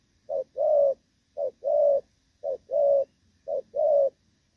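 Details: Spotted dove (Thổ Pha) still cooing well while moulting, 3/6/2024. Four rhythmic gù phrases, each a short note and then a longer humming coo, repeated about every 1.2 seconds.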